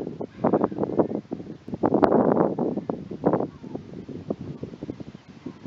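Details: Canada geese (Branta canadensis) on the water give a rapid, overlapping run of low, nasal honks and clucks, several birds calling at once, with some wind in the background.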